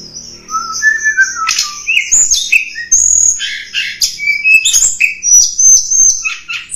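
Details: Snowy-browed flycatcher song, played to lure wild birds: high sustained whistle, a few lower slurred notes, then a varied run of sharp chirps, upslurs and high thin whistles.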